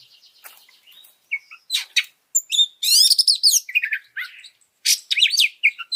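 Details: Oriental magpie-robin training song to provoke other birds: quiet scratchy notes at first, then loud buzzy trills, whistled slurs and sharp clicks in irregular bursts.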